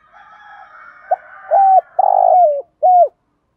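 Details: Caged spotted dove lure used to trigger wild doves into calling back, with a faint distant coo, then a short clipped note followed by three loud cooing phrases, the middle one long and vibrating, dropping at their ends.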